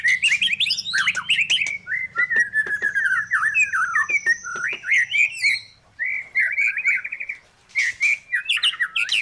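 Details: A black-billed magpie sings a long, rambling warble of fluty whistles and scratchy chatter, with quick rising and falling notes and a few brief pauses.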